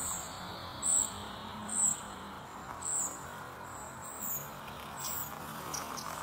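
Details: A Spotted flycatcher chick begs its mother for food while she feeds it. It gives thin, very high 'tsee' begging notes, about one a second, over a steady background hiss.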